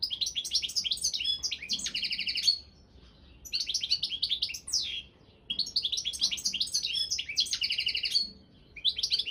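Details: European goldfinch of the Balkan subspecies Carduelis carduelis balcanica, a competition singer in a goldfinch song championship, delivering bursts of rapid twittering, trilled and buzzy high notes, each phrase about two seconds long and separated by brief pauses.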